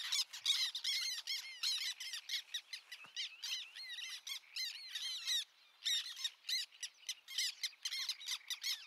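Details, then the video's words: Black tern (Chlidonias niger): several birds give a rapid, overlapping stream of sharp, harsh kek notes with brief pauses. "Black Tern : Bird Song Identifier"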